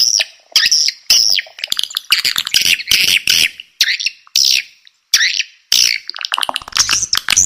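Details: Swiftlet lure sound of high, sweeping whistled chirps with a warbling, siren-like rise and fall, delivered in separate bursts with brief pauses.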